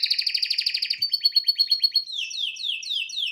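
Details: Male pet canary singing in front of a television: a fast rattling roll, then a run of evenly spaced clicking notes, finishing with repeated descending slurred whistles.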